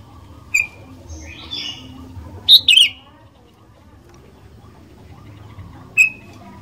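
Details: Sooty-headed bulbul in active song, played as a lure to set other bulbuls singing: scattered bright whistles, a slurred rising phrase, then a quick pair of sharp notes and one last clear whistle, with faint low rumble.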